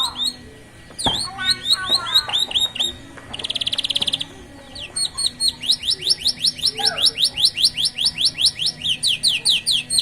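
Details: Canary chicks singing with a unique rhythm beside a road: scattered chirps, a short buzzy trill, then a long run of rapid, evenly repeated high rising notes; faint background hum.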